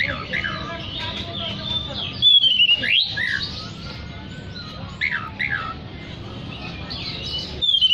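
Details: Oriental magpie-robin singing to call others of its kind, delivering bursts of loud, sharp whistles and fast down-slurred notes between quieter spells, plus a long faint sliding tone and background hiss.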